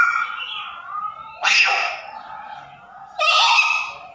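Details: Captive African grey parrot mimicking human speech: a quiet murmured phrase, then two loud, breathy, harsh bursts about two seconds apart.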